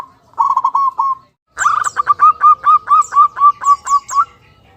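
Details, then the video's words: Zebra dove song: a brief burst of soft coos, a pause, then a fast even series of bright cooing notes, with high chirps from other birds above. "Suara Burung Perkutut"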